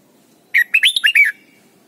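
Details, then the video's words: Red-whiskered bulbul from Thailand, played as a singing lesson for young birds. One quick liquid phrase of about six chirpy, warbled notes that bounce up and down in pitch, lasting under a second, in a quiet setting. "นกปรอดหัวจุก Thailand Bird: เสียงดีมาก (สอนลูกไก่) เต็ม - ฝึกร้องเพลงร้องเพลงยอดหรือเสียงบิด"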